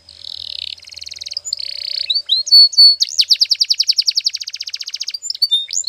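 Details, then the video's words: Training song for canaries, sung by a canary as a series of high buzzy trills and a rattling roll, then clear whistles leading into a long, steady run of quick repeated chirps about four per second. "Canary's Sound Training Every Morning"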